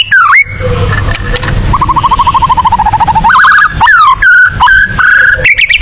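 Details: White-rumped shama delivering tembakan-style song suited to competition birds: a sharp rising whistle, then a long even trill of rapid repeated notes slowly dropping, followed by clear whistled phrases; low rumbling background noise.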